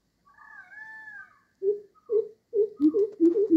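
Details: Two greater coucals calling differently at a window: a drawn-out, wavering higher tonal note first, then a series of deep, hollow hoots that quicken and bunch together toward the end, about nine in all.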